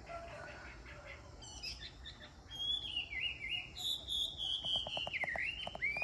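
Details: A Chinese hwamei sings a loud, rich run of sliding whistles and quick rolling phrases at Hồ Gia Trang, preceded by softer chirps from other birds.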